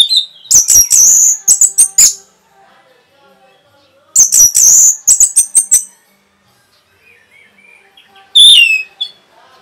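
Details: Orange-headed thrush in rapid provoking song: two dense, high, buzzy bursts of quick chirps about four seconds apart, with soft twittering between them, then a single loud slurred note near the end.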